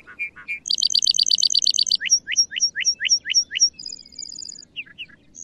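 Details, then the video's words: Male Lark Bunting in song flight, delivering low slurred notes, a loud rapid buzzy trill, a series of rising whistled slurs, then a thin high trill and soft chips; quiet background. "Lark Bunting Calamospiza melanocorys Singing"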